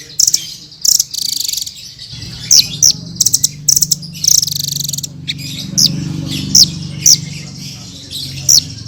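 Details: Hanging parrot singing continuously for birdkeepers: repeated sharp high chirps and short clicky rattles, some notes sliding down, over a steady low hum from about two seconds on.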